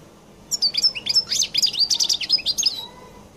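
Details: Collo goldfinch, a European goldfinch type from Algeria, delivering its distinctive song after a short quiet start: jumbled bright chirps, buzzy notes and quick twitters closing with a fading thin whistle.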